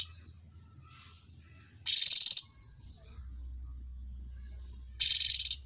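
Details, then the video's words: Cucak cungkok, noted as a very good mastered bird, starts with soft high notes, then gives two loud rapid-pulsed rattling bursts about three seconds apart over a low hum. "TERMASTER YANG SANGAT BAGUS CUCAK CUNGKO"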